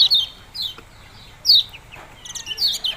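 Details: Isolated bright chirps from a yellow-bellied prinia, each dropping in pitch, spaced about half a second to a second apart, the "ciak-ciak jos" pattern, with soft low background rumble.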